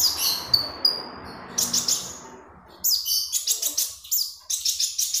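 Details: Vocal magpie robin as a training lure: a few clear high whistles, a brief gap, then bursts of rapid buzzy chirping.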